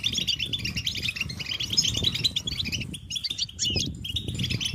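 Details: Group of European goldfinches chattering and singing together, described as mating and readiness calls that stimulate males to sing; dense overlapping twitters and tinkling notes run continuously, over a low rumbling background.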